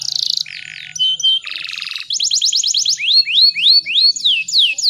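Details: Female canary singing to stimulate males to sing; varied phrases of buzzy notes and short trills, then a series of rising whistled sweeps repeated roughly twice per second, clear and loud with a faint low hum.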